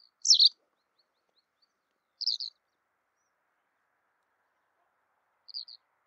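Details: White wagtail calling: three sharp, high two-note chirps spaced about two and three seconds apart, the first loudest, with no other sound.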